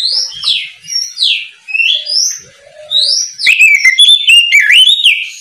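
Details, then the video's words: Oriental magpie-robin singing ngeplong in the morning to draw untrained birds into song: repeated descending slurred whistles about once a second, then a loud rapid flurry of sharp, twisting notes. "Kicau Kacer ngeplong memanggil Kacer bahan agar cepat gacor di pagi hari"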